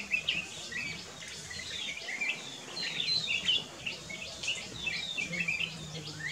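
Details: Black-crested bulbul singing at Camp Hornbill, Kyari Village, Corbett National Park: a steady stream of short bright chirps and quick slurred whistles through the whole stretch, with a soft low hum underneath.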